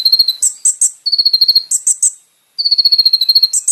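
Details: Song of a Van Hasselt's sunbird for training caged birds: long, even trills of fast repeated notes at a steady pitch, broken by loud, very high chipping phrases, with a short silent gap.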